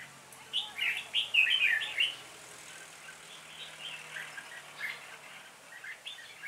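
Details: During bulbul trapping on 26 November 2017, a lead decoy red-whiskered bulbul calls the flock; a cluster of loud rapid chirpy notes around the second second, then fainter repeated twittering phrases from several birds.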